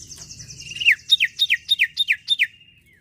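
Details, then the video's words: Singing sirtu bird, a song to prompt other birds to sing: after soft rapid trilling, about seven loud downslurred whistles in a quick even series, each dropping steeply, with a low background hum. "sirpu gacor cocok pancing bunyi burung ombyokan"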